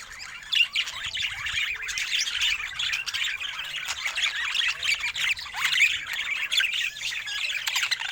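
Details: ['Happy-looking budgerigar with a continuous stream of scratchy warbling and fast twittering notes.']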